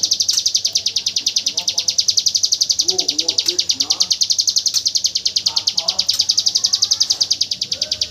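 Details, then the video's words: Hill prinia, its rapid 'tembakan AK47' machine-gun style song used as tutor audio for white-rumped shamas: a dense, fast train of high buzzy notes repeating about ten per second without pause, with softer low warbles from other birds beneath. "Suara burung ciblek gunung tembakan AK47"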